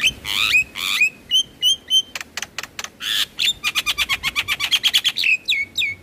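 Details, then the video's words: Black-winged starling song, played each morning and evening to coax stressed caged birds into singing: harsh rasping bursts alternate with clear flat whistles and fast clicking rattles, ending in downslurred whistled notes. "Terapi Burung Jalak Stres Malas Bunyi Rutin Putarkan Suara Jalak Kebo Setiap pagi dan Sore"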